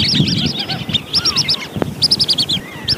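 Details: Wandering whistling ducks call together as a lure recording: shrill, whistled notes in quick bursts of three to five, overlapping in a busy chorus, with a few lower sliding whistles.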